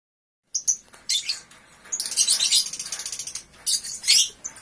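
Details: Three-month-old lovebird singing ngekek right after waking: after half a second of silence come sharp high chirps, then a fast run of rapidly pulsed, shrill chattering notes, ending in further loud bursts.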